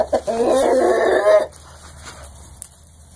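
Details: One of several kept chickens, with twenty smaller chickens also in the flock; a loud, sustained, nasal harmonic call lasting about one and a half seconds opens the recording, then only faint background hiss remains.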